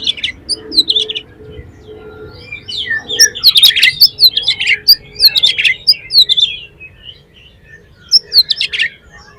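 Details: Oriental magpie-robin lure song to prompt other magpie-robins to sing: quick bursts of bright, sharp notes and whistles in dense clusters, separated by quieter gaps, over a low hum.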